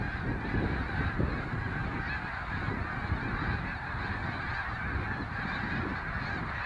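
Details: Migrating snow geese calling together, a continuous wall of crowded honking with no gaps, a few louder notes standing out near the start, under a strong low-pitched rumble.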